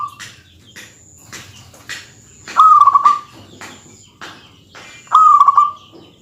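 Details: Zebra dove of a local strain in full, dense song used to rile rival males. Two bright, burbling coo phrases of rapid beaded notes ending in a sustained tone, separated by soft clicks and taps.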